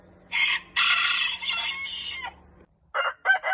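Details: Rooster crowing in the morning on a farm: a noisy, broad crow with a long middle section, followed by the start of another crow, with abrupt cuts between the sounds.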